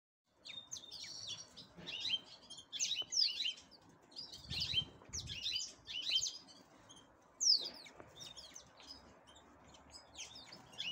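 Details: Black-headed canary preparing for breeding, singing in bursts of high twittering phrases with sweeping notes and trills, separated by short pauses; faint low background rumble.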